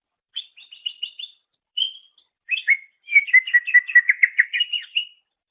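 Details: Greater green leafbird singing, used as a master for songbird training: a rapid stuttered trill, a single whistle, then a long rolling series of quick chirped notes gradually rising at the end.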